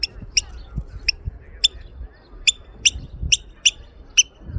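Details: An oystercatcher in Norway in 2023, trying to lure the recordist away, gives loud, sharp, piercing 'kleep' notes, about nine in under five seconds at an uneven pace, over low rumbling wind or handling noise.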